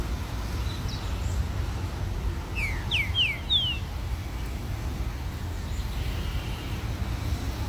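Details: A Green-winged Saltator at Praça Jauru, Rio de Janeiro, gives a short phrase of four quick, clear whistled notes, each slurring downward, over a steady low rumble of traffic.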